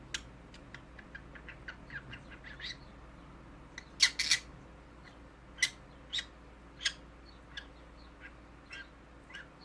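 A conure gives scattered short, high chirps and sharper squawks, with a louder harsh burst near the middle; a low steady hum runs underneath.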